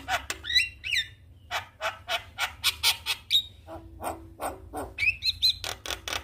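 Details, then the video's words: Javan myna answering a lure recording of a vigorously singing Javan myna after being slow to sing; a loud run of rasping, chattering notes repeated several times per second, with short whistled and upslurred phrases near the end. "Burung Jalak Malas Bunyi Langsung Respon Dengan pancingan jalak Kebo GAcor"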